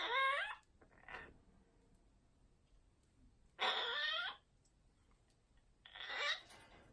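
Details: Pet Amazon parrot indoors in a small room giving loud harsh squawking calls, three bursts about half a second to a second long, some with rising and falling overtones, separated by quiet gaps.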